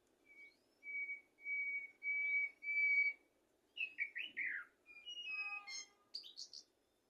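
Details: Common blackbird song used to tutor goldfinches and canaries: four clear, steady whistled notes, then a run of slurred, falling warbles, ending in a high, quick twittering flourish. The background is quiet.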